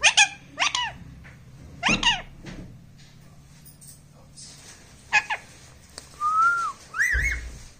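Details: Indoor talking parrot utters a string of short, squeaky speech-like syllables, a brief level whistle and a final rising squeal, with quiet gaps between bursts.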